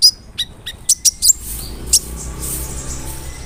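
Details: Brown-throated sunbird song used as a lure to provoke other sunbirds: a burst of sharp, high chirped notes and short rising whistles in the first two seconds, then a faint, quieter background with a few soft thin calls.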